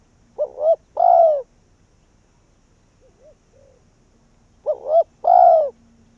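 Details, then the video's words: Spotted dove kept as a decoy, calling to draw wild doves in; two coo phrases, each a short double-humped note followed by a longer falling coo, about four seconds apart, with faint softer coos from a distant dove between. "Cu Gáy Việt Rút Bổi Về Chung Tàn | suara burung tekukur"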